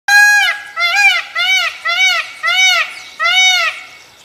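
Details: A peacock calling for rain gives six loud, nasal, wailing honks in quick succession, each arched in pitch and about half a second apart.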